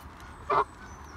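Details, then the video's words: A male Canada goose, one of a group preparing for the breeding season on 6 February 2021, gives one short, nasal honk, a single brassy note of about a tenth of a second, against a faint background hum. "The talking Canada Goose"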